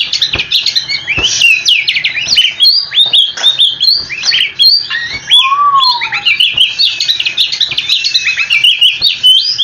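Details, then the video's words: Long, unbroken oriental magpie-robin song in a rolling style, aimed at making listening magpie-robins respond: busy high-pitched chattering notes and quick sweeps, with a single low, drawn-out slurred whistle midway. "Kicau Kacer super ngerolllll abis dijamin kacermu langsung nyaut"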